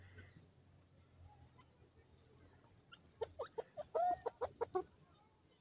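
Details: Wild partridge, called teetar, calling: a rapid run of short harsh harmonic notes in a burst of about two seconds, with one longer arched note in the middle, after quiet background noise.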